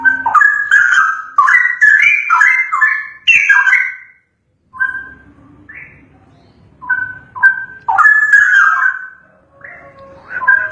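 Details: Straw-headed bulbul singing a training song meant for other birds to learn from. Rich, liquid, bubbling warbled phrases come in loud bursts of about a second each, with a brief silent pause midway and quieter phrases after it.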